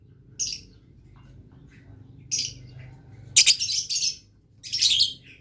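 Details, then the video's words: Blue lovebird singing energetically: four groups of harsh, high, buzzy chirps about a second apart, the later ones longer and more rasping, against a noticeable low rumbling background. "LOVE BIRD GACOR"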